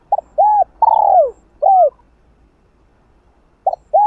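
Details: Spotted dove calling, urging and cooing continuously to provoke another dove; a rapid series of arched hoots with one longer falling coo in the middle, then a pause and the next phrase starting.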